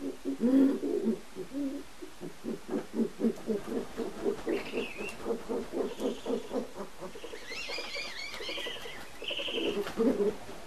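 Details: Captive Great Horned Owl pair copulating in a large aviary, male squealing and female chittering: a fast, irregular run of low grunting chitters, about four per second, with a few thin higher squealing notes near the end.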